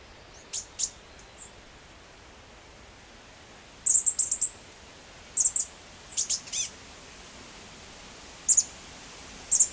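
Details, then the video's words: Chestnut-backed Chickadee in Washington, in summer while adults feed young, gives very high, thin, lisping notes in short clusters of two or three, scattered irregularly over a soft background hiss. "Chestnut-backed Chickadee"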